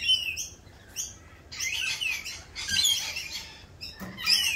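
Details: Several rainbow lorikeets, noisy in the mating season during their mating dance, overlap in a dense, buzzy, scratchy chatter with occasional sharp whistled squeals.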